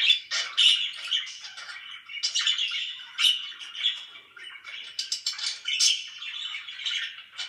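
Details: Pet budgerigars chatter loudly, giving a busy mix of quick warbles, clicks and bright squeaky chirps that overlap with no real pause.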